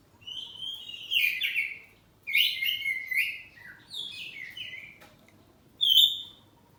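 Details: Oriental magpie-robin, poci type, kept at home, singing loud ngeplong-style exchanges: four varied whistled phrases roughly a second each, sliding and warbling, separated by short gaps and ending on a sharp clear note.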